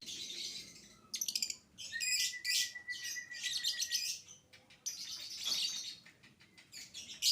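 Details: A young lovebird's lure song of the violin-like 'biola' type: a sharp stutter of clicks, then grating high twittering runs over a faint level whistle, ending in a loud squeaky burst.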